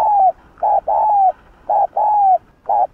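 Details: Spotted dove singing in the 'Hạp Bổi' style to provoke rival doves: steady mellow coos alternate short blunt notes with longer notes that slide gently downward, about six notes in three seconds, clean and without other sounds.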